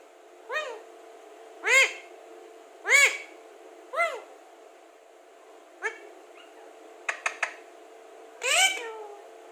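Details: Talking Alexandrine parakeet producing a run of loud, arched, harsh calls at irregular intervals, with a few sharp clicks near the end before a final louder, more complex call, over a constant background hum.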